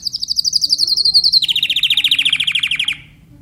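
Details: Timbrado canary delivering a fast, even, rattling trill of about twenty pulses per second. Midway the trill jumps down in pitch and carries on for another second and a half, then stops abruptly.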